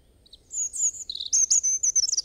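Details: High, sweet European robin song with drawn-out piercing whistles and quick twittered notes in between, rising in loudness toward the end; faint low background rumble.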